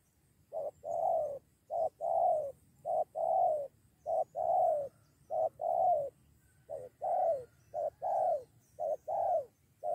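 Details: Spotted dove drawn in by a decoy bird and ready to fight: steady paired cooing, short note then longer downslurred note, about nine pairs in a row over low hum.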